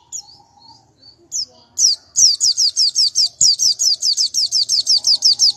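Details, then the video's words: White-eye of the national strain, entered in G16 or G20 classes for its unusual rival-provoking sound: a few separate thin high chirps and whistles build into a rapid, regular series of sharp descending high notes. "Pleci nasional khusus G16 atau G20 suara aneh bikin lawan mletik"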